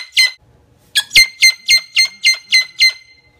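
A Moluccan cockatoo gives one harsh squawk, then a quick run of eight rasping, nasal squawks, about three or four per second. Indoors, with no other sounds.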